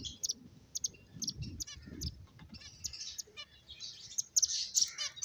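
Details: Finches chirping while playing: short, high, clicky chirps in scattered bursts, some quick rapid runs, over faint low rumble.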